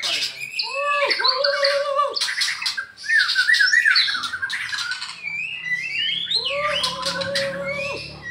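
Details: Afternoon training session between caged white-rumped shamas, one of the Medan type; long flat whistles bend down at their ends, mixed with harsh buzzy chatter and rippling notes, then repeat after a pause.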